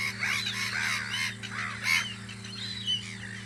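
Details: Gulls keeping watch on Audru polder in spring: loud, bent, nasal calls tumble over one another at roughly one per second, with several birds calling together above a constant low drone.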